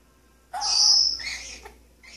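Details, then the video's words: Singing pet Maximilian's pionus parrot, a male, on a kitchen sink faucet indoors: one strong high whistle sliding into a lower, rougher note, then a short faint chirp. "Django singing"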